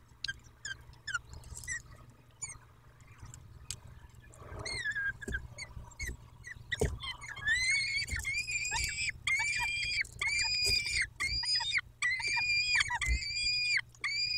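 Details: Peregrine falcon at the nest, Dobra site, 14 May 2021, 14:18: faint clicks and short chips at first, then from mid-clip loud, sustained wailing calls with strong harmonics, steady and slightly rising, repeated almost without pause.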